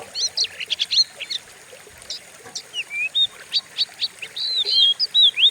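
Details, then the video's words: Oriental magpie-robin training song for stirring other birds to sing: sharp rapid chips at first, then clear downslurred and rising whistles delivered in quick separate bursts. "Pancingan burung Kacer; sadis dan ganas suaranya"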